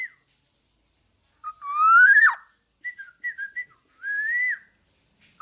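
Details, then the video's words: Black-naped oriole in full voice as a training model for songbirds: one loud nasal rising sweep with a sudden drop, followed by short whistled notes and a longer slurred whistle. "Burung Kepodang Podang gacor buat masteran"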